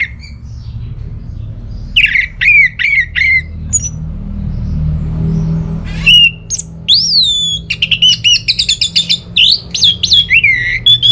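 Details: Orange-headed thrush in northern Bali, played to prompt silent home birds into song: varied whistled phrases with swooping notes, a pause, then a long energetic run of rapid repeated notes and sweeping whistles.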